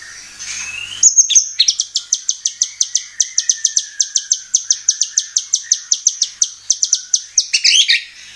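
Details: White-rumped shama lure song to provoke birds to sing: a brief whistle, then a long, rapid series of sharp clicking notes about five a second, ending in a short twittered flourish.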